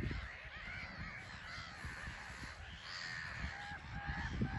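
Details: Black-headed gulls crowding a small island at RSPB Frampton Marsh, coming and going in flight; scattered rasping, slightly wavering calls from several birds over a steady low rumble.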